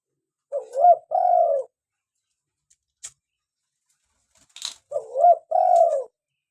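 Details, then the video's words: Actively calling local spotted dove repeating its two-part phrase twice, about four seconds apart. Each phrase is a short rising quavering coo and then a longer descending croon, with faint clicks in the quiet pause. "PANCINGAN SUARA ASLI BURUNG TEKUKUR LOKAL GACOR"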